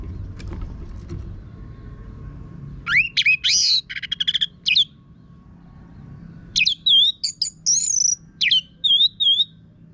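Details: Orange-headed thrush singing vigorously in a harsh-voiced style, a recording meant to lure other birds into singing openly; after a low hum, two bursts of rapid sweeping whistles and buzzy notes, the second with repeated wavering phrases.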